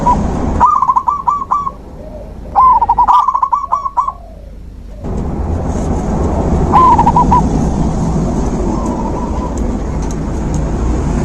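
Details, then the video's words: Zebra dove singing, played as natural therapy for a dove that has stopped singing: several bursts of fast, trilling coo notes broken by abrupt cuts, then softer, more distant phrases over a constant low background noise. "Terapi alam perkutut macet mogok bunyi"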